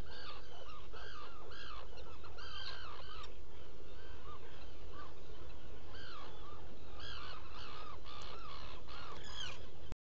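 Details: Black guillemot nest burrow on Seal Island NWR, Maine, recorded in the small hours of 11 July 2018: bursts of rapid arched, harmonic calls in quick series, a pause, then more series, with a steady low hum beneath.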